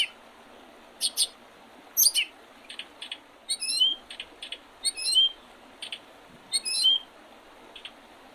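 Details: Springtime birds on the Oredezh River, Leningrad Oblast, Russia, 8 April 2023, call in an irregular series of sharp high chirps and short downward-slurred whistles, several birds overlapping over a quiet hiss.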